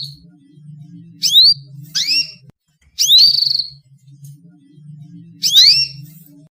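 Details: Female canary calling to prompt male canaries to sing: four separate bright, rising upswept notes at about one-second gaps, each with a short harmonic stack and a brief pause between, over a faint low steady hum.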